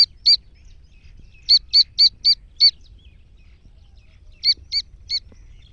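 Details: Iranian black francolin, a female calling lively, with a chick's voice also mentioned: clean, high, clipped chirps given singly and in runs of three to five, roughly four a second, with short silences between runs and faint low hum.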